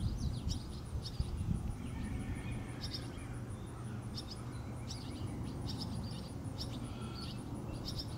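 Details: Barn swallow fledglings being fed by a parent at Rosman Community Park, North Carolina: short, high, twittering chirps in bursts every half second to second, over a steady low background rumble and a faint high whine.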